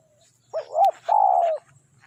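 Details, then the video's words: Single phrase from a spotted dove used to coax wild doves in while trapping: two short rising coos run together, then a sustained, burry, level coo that fades slightly at the end. "suara tekukur enak"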